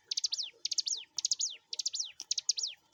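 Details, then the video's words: {'text': 'Mountain prinia (ciblek gunung) singing actively, used as a master recording for training songbirds: phrases of three or four sharp high chips followed by a slurred descending whistle, repeated about twice per second.'} "pancingan masteran burung ciblek gunung/cigun gacor"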